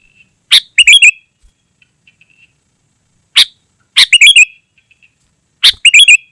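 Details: Sooty-headed bulbul singing energetically, a recording used to lure wild birds in forest and to tutor caged birds: three short bright phrases of bubbly, whistled notes, each opening with a sharp burst, spaced about three seconds apart.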